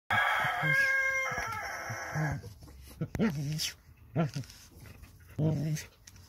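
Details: A very young rooster in a henhouse at nightfall gives a strained, wavering crow of about two seconds, followed by a few short, hoarse calls from the flock of hens.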